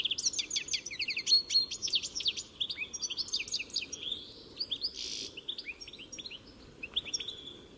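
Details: European goldfinch singing a fast, varied twittering song of liquid chirps, trills and short buzzy notes, with a brief harsh nasal burst near the middle; quiet steady background hiss.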